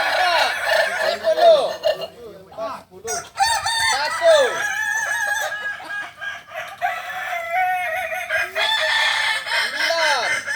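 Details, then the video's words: Kokok Balenggek cocks crowing during practice in Ampang Kualo, Kota Solok: repeated runs of clipped, arching syllables, sometimes stepping downward, many roosters calling at once with short silences between runs. "ayam kukuak balenggek"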